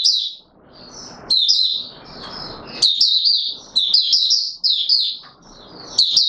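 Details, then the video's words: Oriental white-eye in courtship mode, recorded 25 January 2022: rapid high twittering phrases, slurred notes tumbling together, in bursts of about a second with short gaps and soft background rustling. "Mata Puteh Raja V2 in courtship mode"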